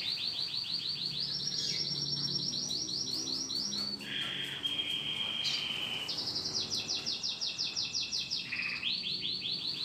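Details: Domestic canary kept in a cage for song training, delivering long rapid trills of falling notes. The trills switch into a steady sustained rolled tone and back again, with a low background hum.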